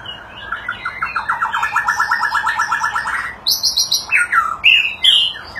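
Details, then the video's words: A White-rumped shama in display sings a fast, even trill of about thirty rapid notes, then breaks into loud, varied, many-voiced whistled phrases that jump sharply higher. "kích chòe lửa hót | nhiều giọng"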